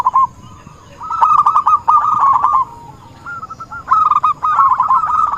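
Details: Zebra dove lure call used to attract birds for trapping: bursts of rapid, staccato cooing notes at a steady mid pitch, grouped in phrases about a second long and separated by short pauses.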